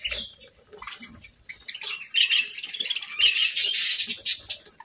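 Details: Pet parakeets giving short, bright chirps and warbling chatter that start sparse, then become louder and denser in the second half, with faint low rustling beneath.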